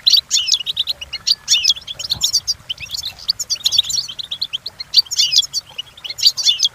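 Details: European goldfinch song used for training captive goldfinches to learn, a fast, dense twitter of high tinkling notes and short buzzy trills in bursts, with brief gaps between phrases.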